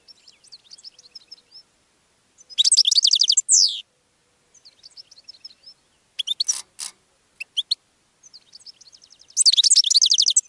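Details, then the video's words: Goldfinch song over about ten seconds: soft, rapid twittering alternates with loud, dense bursts of high tinkling notes, plus a few sharp clicks in the middle. "GOLDFINCH SONG to ATTRACT Other Birds"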